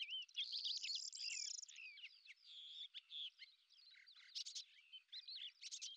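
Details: Quieter, jumbled warbling attributed to a lesser grey shrike that hunts beetles while hovering: buzzy trills, squeaks and short whistles tumble together, with sharp louder notes near the end.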